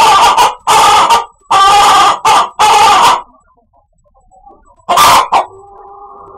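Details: Chicken producing odd, funny noises: a series of loud, harsh squawking bursts, then near silence, then one last squawk followed by a faint, thin tone.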